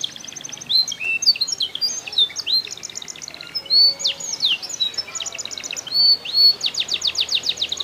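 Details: Canary in Comal, Pemalang, Central Java, Indonesia, singing a bright high song of fast repeated trills and rapid chip series mixed with sweeping whistled notes, phrases changing every second or so.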